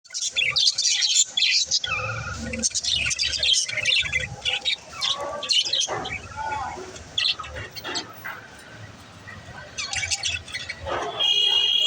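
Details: Mother budgerigar in a nest pot, chirping: busy, scratchy chatter with bright high chirps and warbles, dense and irregular, broken by brief pauses, with a low rumble in the background.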